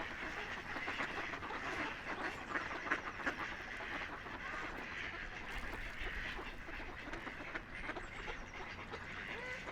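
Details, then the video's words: Several ducks on a calm river trading nasal quacks in uneven runs, roughly three per second, over soft continuous river flow. "Relaxing Ducks Quacking by the River"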